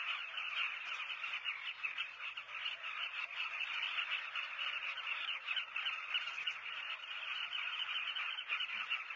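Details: Breeding colony of southern carmine bee-eaters, South Luangwa, Zambia, heard from a hide; many birds calling at once in a constant rolling, burry chatter without breaks.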